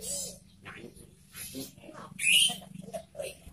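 A sirtu gives short, sharp, high chirps, with one loud ringing burst partway through, over a faint low hum.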